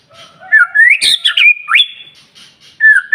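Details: White-rumped shama song used to stimulate other shamas to sing: loud clear whistles sliding and rising, a sharp broadband snap, then a long held whistle and a rising note, phrases spaced by brief pauses.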